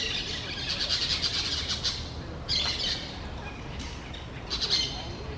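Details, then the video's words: A pair of parrots among large trees in low forest, giving harsh, noisy squawking bursts in irregular bouts, about four outbursts over five seconds, with a steady hiss of background between them. "couple of parrots sing between the large trees of the low forest"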